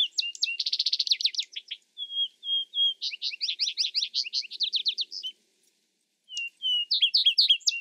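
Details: Repeated vesper sparrow songs: fast high trills alternate with paired whistled notes and bursts of quick chirping phrases, with a brief silence before the next song begins.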